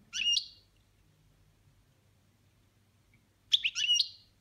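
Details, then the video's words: A pet European goldfinch sings in one of its song styles, two short bursts of bright, tinkling twitters, high and rapid, separated by about three seconds of quiet. "Chardonneret boniments"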